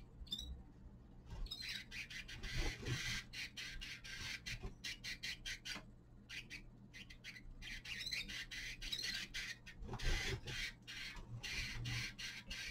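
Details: Winter song of a young male linnet: long, busy stretches of rapid twittering and rasping notes in quick bursts, broken by brief pauses, over a constant low background hum.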